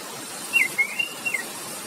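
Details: Orange-headed thrush, kept as a cage bird, singing a relaxed ngeplong song meant to prompt silent birds: a short, clear phrase of a few whistled notes sliding downward, followed by brief chirps.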